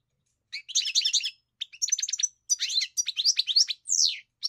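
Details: Goldfinch song of fast tinkling, buzzy twitters strung into dense phrases, ending in a descending slurred whistle; clean recording with no background noise.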